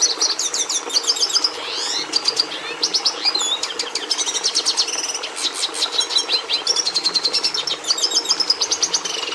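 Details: Red siskin (Carduelis cucullata) song: a fast, continuous run of high twittering notes, chattering trills and sweeping buzzy slurs, with repeated chip series and rapid rattles, over faint steady background noise.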